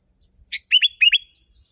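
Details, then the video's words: Sooty-headed bulbul sound used as a lure to draw wild bulbuls closer: a quick burst of four bright, sharp chirps, the last three paired and slightly downslurred, over a faint steady high hiss. "Suara burung kutilang 💯💯% asli.. burung kutilang liar pasti mendekat.."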